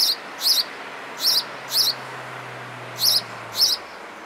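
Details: Sparrow chirping: six sharp, high chirps in loose pairs, spaced about half a second to a second apart, with a low faint hum underneath.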